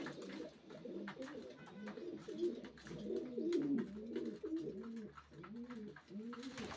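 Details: Racing pigeons giving a steady run of low, rolling, arched coos, several birds overlapping in a small enclosed space.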